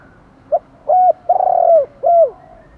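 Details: Morning calling of spotted doves, male and female, luring others in: a short note followed by three low hollow coos, the middle one long and burry, each dropping in pitch at its end.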